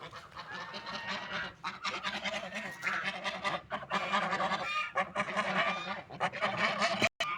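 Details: Feeding ducks eating and drinking water, keeping up dense, overlapping nasal quacks and honks in a noisy, irregular chatter with a brief dropout near the end.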